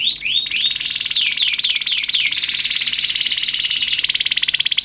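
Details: Canary tutor recording in the cengkok mewah style: short rising notes, a series of falling sweeps over a steady high buzz, then a long rapid pulsing trill.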